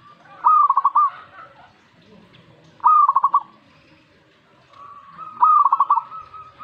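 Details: Zebra dove reacting immediately to a master song recording, giving three cooing phrases, each a sharp first note then a fast chain of soft pulsed notes, about two and a half seconds apart, with a drawn-out humming tone before the last phrase.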